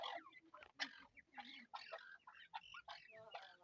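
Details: Grey francolin chicks, known locally as Irani teetar, give a quiet, rapid jumble of short squeaky chirps and harsh, ringing notes that overlap and break off in brief pauses, over a faint low background.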